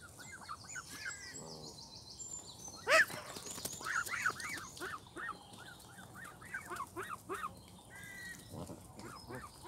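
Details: Young Canada geese, goslings now grown, at Longton Park, Stoke on Trent, on 20 June 2022. A steady run of arched, whistled peeps comes with a few short, harsh, nasal honks and a sharp knock midway.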